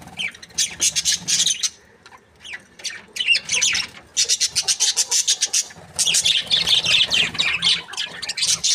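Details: Cheerful budgerigar chatter: fast rows of sharp high chirps and buzzy squawks, repeated in quick trains with a short lull around two seconds.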